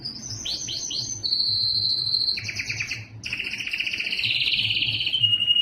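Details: Yellow canary song: quick descending chirped notes, then a steady high whistled tone, followed by fast buzzy rolling trills that sweep slightly downward, continuous and loud.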